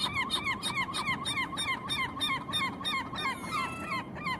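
Gulls give loud, nasal, down-slurred yelping calls, about three a second in a steady run, over the low wash of ocean waves.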